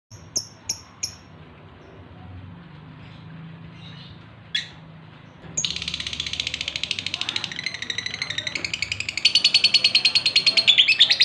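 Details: Male lovebird in breeding condition calling to a female: a few sharp high chirps, then after a pause a rising burst of rapid, dense high-pitched chattering that grows louder toward the end.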